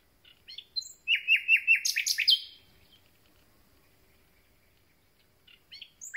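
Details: Common nightingale, newly back and singing, a phrase of about six quick repeated downslurred whistles rising into a burst of buzzy notes, followed by a long quiet gap and another phrase starting.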